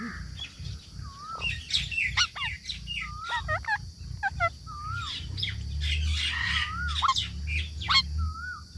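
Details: Parrot repeating a smooth whistled note that rises and falls, roughly once a second, mixed with brief squawks and clicks over low background rumble.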